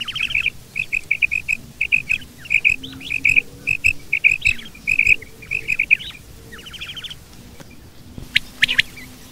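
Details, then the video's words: Quail, female and male, in a mixed calling bout: rapid double and triple high clipped notes run steadily, broken by dry descending rattles, over a low rumbling background. "Female Batair Calling 2020| Male Batair Sounds | Mix Calling | Maadi Batair Ki Awaz | Female Batair"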